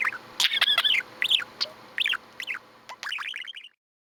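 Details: Indoor budgerigar chatter of bright, bouncing warbles and short high chirps that come in quick clusters and then fall silent near the end.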